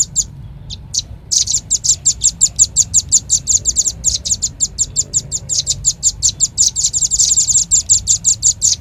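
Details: Lure call of rambatan paruh merah, the velvet-fronted nuthatch: a few isolated high chips, then a long rhythmic train of shrill clipped notes, about five a second, lasting over seven seconds.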